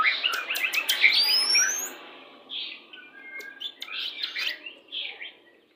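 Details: Shama lure song in the "pastol" style, used at pairing to speed breeding readiness; a loud rapid burst of clicks and whistles with a long rising whistle, then softer spaced warbling notes fading out.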